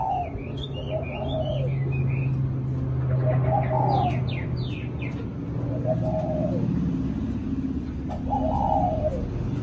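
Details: Spotted dove cooing in the thổ cụ style: soft, low coo phrases repeated every few seconds, with scattered chirps and sharp high notes from other birds over a constant low hum.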